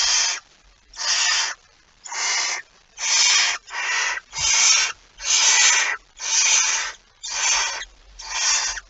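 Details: Barn owl at its nest with prey, recorded 23 September 2019: nine evenly spaced rasping hisses, about one each second, each breathy and broad, over near silence.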